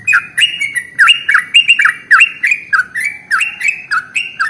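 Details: Energetic sooty-headed bulbul in long unbroken song, played to coax other birds into singing: loud, rapid chain of bubbly two-part notes sliding up then down, several per second, with clicky overtones and little background noise.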